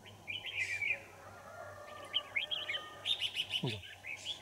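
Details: Wild Red-whiskered Bulbul being trapped on a winter morning in Kim Bôi, Hòa Bình, 3 January 2018: bright warbled phrase, pause, then a fast series of short whistled chirps, over a low steady hum.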